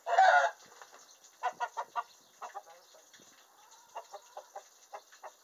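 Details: Henhouse chicken announcing a laid egg, one loud harsh squawk followed by quieter evenly spaced clucks in short runs.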